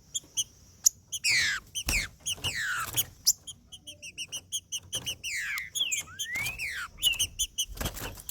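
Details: Green-winged saltator (trinca-ferro) singing in 'macheando' style to warm up other saltators: loud downward-sweeping whistled slurs, one rising whistle, between steady rapid trains of short high chips and a few sharp clicks.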